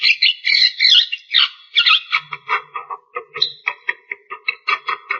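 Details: Javan myna giving a harsh chattering run: scratchy squawking notes at first, then quicker clipped chacks in an uneven series, about two or three per second.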